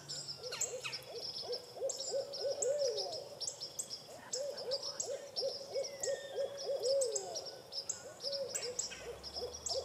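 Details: Barred owl calling: two long runs of rapid, rhythmic hoots in a low-middle pitch, each ending in a drawn-out, drooping note, over a steady background of high chirping insects or small birds.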